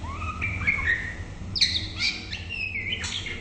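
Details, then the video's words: White-rumped shama (Copsychus malabaricus) singing in the morning, a rich run of clear, slurred whistles, rising and falling, with sharp high notes mixed in, over a low background hum. "Chòe lửa bông tới nái /shama bird/murai batu/白腰鹊鸲/บินหลาดง/"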